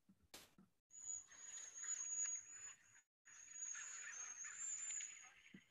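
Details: A winter flock of Cedar Waxwings in South Carolina gives a steady wash of very high, thin, airy whistles without a trill, several birds overlapping in two long bursts.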